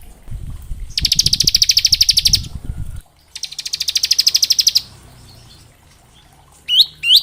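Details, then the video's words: Bar-winged prinia in varied song for training juvenile birds: two rapid buzzy high trills of about a second and a half each, followed after a pause by two loud rising upslurred whistles. "Suara Ciblek gacor ngebren syahdu buat Masteran ciblek ngebren variasi"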